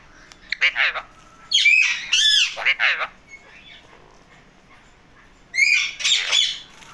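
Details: Indian ringneck parakeet in a happy mood, giving loud harsh squawks and raspy, rising-falling screeches in short bursts, with a pause before a final pair of calls.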